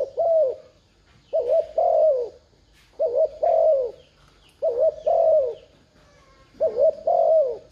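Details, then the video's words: Spotted dove cooing to rouse a decoy bird, five steady phrases of a short doubled coo and a longer gliding-down note, with faint high twitters behind. "Tiếng chim cu gáy thúc gù kích mồi mở lên bổi gáy liền"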